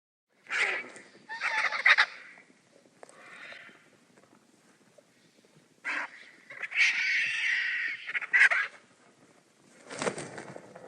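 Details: Vultures squabbling over food: harsh, broadband hissing bursts and raspy squawks in irregular clusters, with a longer noisy outburst midway and short gaps of near silence between flare-ups.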